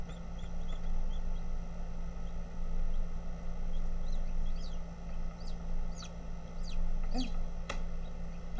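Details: A Bantam Silkie chick hatching gives a run of thin, high, falling peeps, several each second, over a steady low machine hum, as if hollering to get out of the shell.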